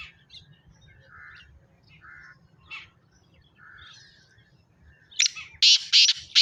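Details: Scattered soft chirps from other birds over a low hum, then a black francolin bursts in with four loud, harsh, grating notes in quick succession at the end.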